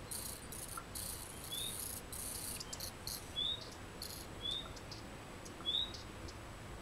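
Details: Common redstart chicks at the nest in Maggia, Ticino, Switzerland, being fed by the female, giving bursts of high, hissing begging calls and short thin upslurred chirps about once a second over a steady background hiss.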